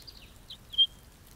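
A brief house finch song fragment: a few quick, high chirping notes, then one brighter, slightly slurred note near the end, over soft background hiss.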